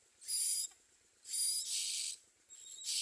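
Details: Young common mynas at the nest make loud hissing wheezes, three harsh bursts with a thin high whistle-like edge, uneven in spacing.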